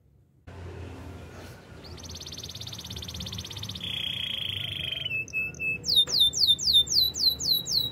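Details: Canary begins with a soft high trill, drops to a lower rolling trill, then delivers a series of rhythmic high swooping notes.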